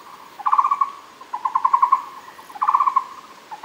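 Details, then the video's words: Muller's barbet (Megalaima oorti) recorded at Fushan: three short bursts of rapid, low, hollow pulsed notes, each burst lasting about half a second and separated by brief pauses, over a faint steady background hiss. "Muller’s barbet Megalaima oorti, Fushan"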